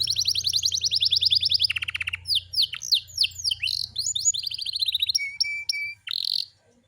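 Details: Rapid trilled canary song with rolling repeated syllables, sharp downsweeping chirps and a few steady whistled tones, over a faint low hum.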